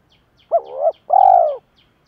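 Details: Spotted dove used as a decoy bird to stir up wild doves. It gives a two-part coo: a short rising note that dips and swells, then a longer, steady, hoarse note. Faint, evenly spaced high chirps sound behind it.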